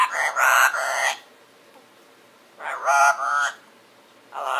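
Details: A parrot talking in its sleep: two loud, raspy, speech-like mumbled phrases about a second long, separated by quiet. A third phrase begins at the end.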